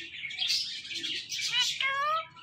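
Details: Pet parrot, described as talking, giving a burst of high chirps and squeaky chatter, with a few short rising whistled notes near the end.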